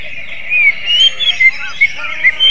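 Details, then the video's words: Greater green leafbird in magpie-robin-like song, giving a few short whistled phrases, some rising and some level, broken by brief gaps. "CUCAK IJO RASA KACER, BURUNG NYENTRIK !!"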